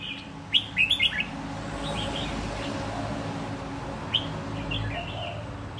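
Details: Caged red-whiskered bulbul, a wild-caught bird raised for a year toward singing competition, delivers a rapid cluster of four loud chirpy notes, then quieter distant twittering and one more sharp note, with background hum.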